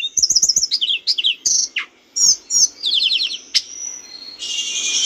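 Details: Training recording of a mountain bush lark singing for cage birds: rapid high trilled phrases, sharp chirps and downslurred whistles in quick succession, ending in a dense buzzy burst.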